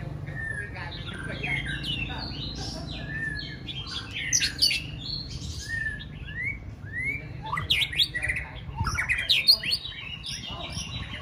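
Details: White-rumped shama being readied for a singing contest. It delivers long, varied phrases of fast whistles, sweeps and chattering trills that grow louder toward the end, with low background hum.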